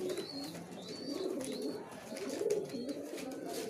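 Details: Several pigeons competing at feed, giving a continuous murmur of low throaty coos that swells and dips, with a few faint, high, whistled chirps from another bird above it.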